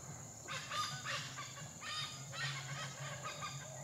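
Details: Black hornbill shuttling left and right at low level. It gives loud, hoarse, honking cackles, about five rough bursts in four seconds, over a constant high-pitched insect hum.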